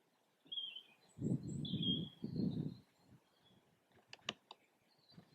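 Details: Displaying red kites over Yorkshire farmland, lunchtime on a dull overcast 24 February 2021; short wavering high whistles come in several pieces, broken up by two gusts of wind rumble, with a few sharp clicks afterwards.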